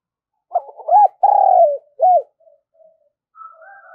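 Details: Spotted dove thúc gù cooing, used to provoke wild doves: one low phrase of quick stuttering notes, a drawn-out sliding coo and a rounded final coo, followed by soft faint chattering from another bird.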